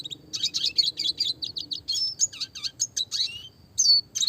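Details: Classic red siskin song, clear and fast, recorded as a tutor for small songbirds with roll and tembak variations: a steady string of rapid buzzy chips, then slurred whistles and a closing rising buzz.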